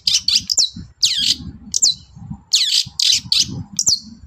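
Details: Long-tailed shrike in morning song meant to make other birds reply: dense bursts of harsh, scratchy high phrases mixed with quick whistled downslurs, delivered almost without pause, with soft low murmur beneath.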